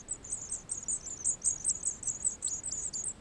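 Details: White wagtail at a nest in a wall near Sofrino, 13 July 2014, during arrival and feeding: very high, thin chirps repeated rapidly and unevenly, about two or three per second, over quiet background.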